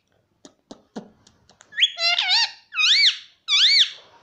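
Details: Talking pet parrot imitating "Mummy": a few soft ticking clicks, then a string of loud, arched, harmonic syllables in three bursts, each rising and falling like spoken words.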